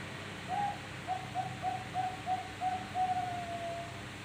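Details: A five-month-old zebra dove gives a soft staccato cooing series of about eight short mid-pitched notes over roughly three seconds, with a slightly longer opening note and a drawn-out final note, against steady low background hiss.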